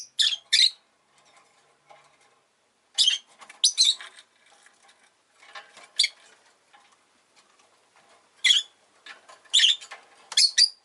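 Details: Rosy-faced lovebird, a caged pet, letting out bursts of shrill, harsh chirps, often in quick pairs, with pauses of a second or two and light rustling in between.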